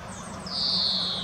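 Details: A female common chaffinch foraging in the Munich Botanical Garden gives one thin, high whistled note that slides slowly downward for almost a second. Faint low background hum underneath.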